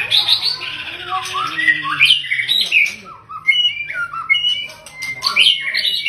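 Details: A long-tailed male white-rumped shama, father of chicks, in fine song: a flowing mix of clear fluty whistles, slurred glides and rougher squeaky notes, sung without pause.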